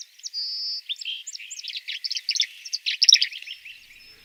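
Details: Tree Swallow song, played from a recording as an example of songbirds that have declined in North America: an opening steady high whistle, then quick liquid chirps and twittering notes in a rapid run, clean and quiet background.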